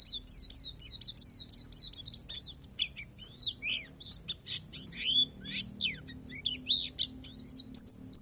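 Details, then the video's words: Oriental white-eye of the Borneo palas type in isian alam song: dense, fast, varied high chirps and slurred whistles, some dropping notes and buzzy bits, loud and continuous, with a faint low hum. "SUARA PLECI PALAS BORNEO"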